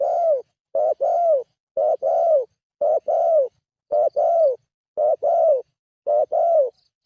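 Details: Steady spotted dove lure calling: eight evenly spaced coos, close to one per second. Each is a short clipped note followed by a fuller, rounded coo that dips at the end. The background is clean.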